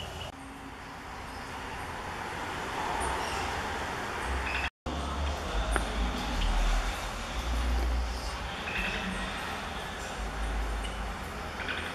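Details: Steady traffic rumble with passing vehicles and faint voices, and no clear animal calls.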